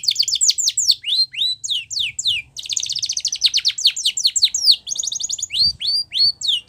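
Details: Spanish Timbrado canary performing a song for training, with rhythmic falling and hooked notes, a long, fast, even trill in the middle, then more spaced bright downward slurs.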